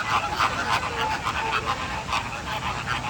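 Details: American flamingos in Singapore giving nasal, goose-like honks, many birds calling over one another in a dense, irregular chorus, with a steady murmur of background noise.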